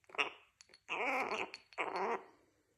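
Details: A 3.5-month-old male pet Gang-gang Cockatoo, chatty and thirsty after an afternoon of flight training, gives three creaky, grating bursts of chatter indoors: a short one, then two longer ones about a second apart.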